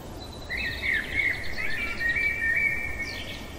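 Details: Common blackbird singing through the dark night, one sustained, sweet, fluting phrase with rapid rippling notes and a short high twitter at the end, low noise underneath.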